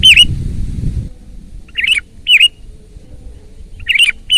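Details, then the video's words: Loud Sooty-headed bulbul song: short, bright, bubbly whistled phrases come at irregular gaps, with a dull low thump at the start and quiet background otherwise. "ISIAN BURUNG KUTILANG GACOR MEWAH !! SUARA KERAS"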